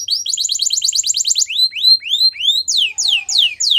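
Belgian canary song: a fast, high trill of a dozen quick notes, then slower rising whistled slurs and falling sweeps. No other sounds.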